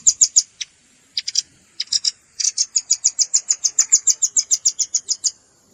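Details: Velvet-fronted nuthatch calls combined with juvenile calls, meant for luring birds: a few paired high chips open into a sustained, fast, evenly paced trill of very high-pitched notes.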